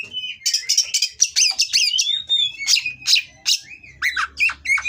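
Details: Oriental magpie-robin from an Indonesian breeding aviary, mating song used to provoke rivals: rapid string of sharp chips and buzzy notes, a long level whistle, then slurred downward whistles.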